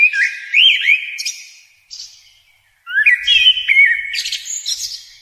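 A sunbird gives quick, high, twittering calls with sharp rising and falling whistled notes, in two bursts separated by a short pause.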